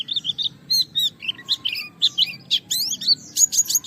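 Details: Japanese white-eye (pleci) challenging a rival, gacor song to make other white-eyes sing: busy high warble of buzzy chirps, wavering notes and quick slurs, about three phrases a second.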